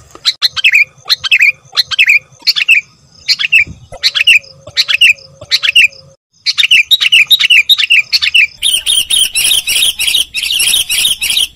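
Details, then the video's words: Sooty-headed bulbul lure recording: a series of clear notes, each sliding downward, repeated about every half second, then a dense burst of overlapping high chirps at the end. "suara pikat masteran burung kutilang"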